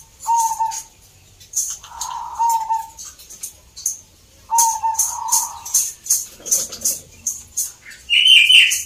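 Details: Zebra doves singing at a local contest in Salatiga, Central Java, Indonesia: soft rolling coos spaced a couple of seconds apart, a high harsh note at the end, and rapid clicking sounds throughout.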